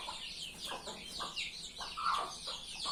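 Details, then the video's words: Chicken calls from a hen-farming setting: high, thin peeps sliding downward, overlapping from several callers, with a few lower, softer notes underneath. "Hen sound effect"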